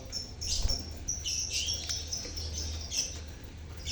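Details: A lovebird colony used as a lure for silent birds; overlapping high twitters and squeaky chirps repeat steadily throughout, with a low droning hum in the background.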